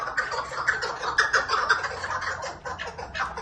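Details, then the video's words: Chukar partridge giving rapid, scratchy clucking calls in an irregular rhythm, the notes crowding together and briefly louder in the middle. No other clear sounds. "keklik sesi"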